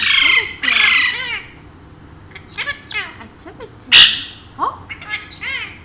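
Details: Two pet Alexandrine parakeets, trained to speak Urdu and Hindi, give harsh, raspy squawks and short, throaty speech-like phrases in bursts, with several rapid bent notes and brief pauses between.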